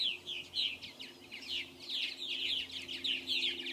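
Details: Purple Martins at a colony with gourds and houses in South Florida, 2014, chatter in an overlapping stream of gurgling, rolling chirps, several birds calling at once with a low steady hum beneath.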